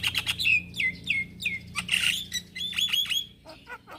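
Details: Javan myna male calling young companion birds, giving a lively mix of sharp falling whistles repeated in quick series, noisy rasping bursts and fast chattering notes, followed by short downward-sweeping calls, over a faint low hum.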